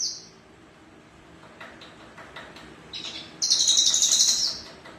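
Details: Captive male Javan bush lark: after a short high trill and about three seconds of faint scattered notes, a loud, fast, buzzy high-pitched phrase bursts out and runs for over a second.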